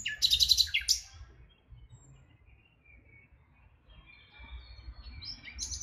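A nightingale sings a loud, rapid trill of high, rattling notes, pauses several seconds, then starts a new whistled phrase; a faint low rumble sits underneath.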